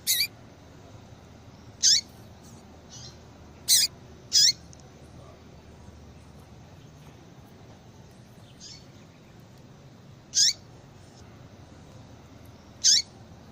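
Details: Yellow-bellied seedeater female, locally papa-capim, giving the call used to get males singing: brief high descending 'tui' chips, some doubled, spaced irregularly every two to six seconds, with soft hiss behind.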